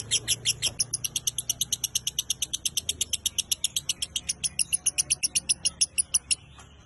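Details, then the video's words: Lovebird training recording with a long burst of fast, sharp, high chattering notes repeated about seven times a second for six seconds, over a low indoor hum. "MASTERAN LOVEBIRD GACOR KONSLET MINOR EFEKTIF JITU"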